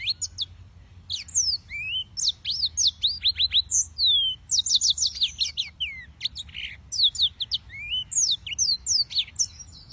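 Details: Serinus mozambicus, the yellow-fronted canary, singing steadily: dense stream of high chirps, slurred whistles and rattling note groups repeated in quick bursts across the whole stretch.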